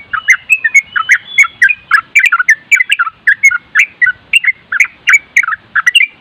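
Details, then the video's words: Continuous nropel song of a sooty-headed bulbul, recorded as a master to stir other bulbuls into answering: fast, loud, evenly spaced bubbly chirps and slurred whistles, unbroken for several seconds. "Masteran trucuk nropel dan suara angin bikin trucuk setres nyaut"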